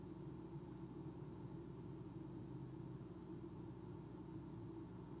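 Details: Low, continuous engine rumble with a steady droning hum, and no animal voices above it.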